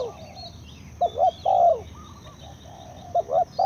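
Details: Spotted dove call: a quick double coo and then a long, rich falling croo, starting again near the end, over light background twittering.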